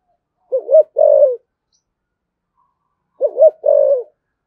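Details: Spotted dove giving cooing in the thổ sấm style, with thúc gù and calling coos: two low, hollow coo phrases about 2.7 seconds apart, each a short rising-falling note then a longer drawn coo, over a silent background.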